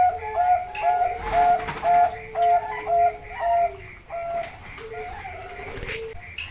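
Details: Bangkok zebra dove lure recording: repeated mellow cooing notes at a brisk, even pace that grow quieter toward the end, with a faint sustained tone and high hum underneath.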